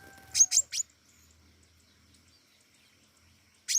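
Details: Flowerpecker singing actively: three rapid, very high, piercing chips, then a long pause before a single chip, with a faint steady tone under the first notes.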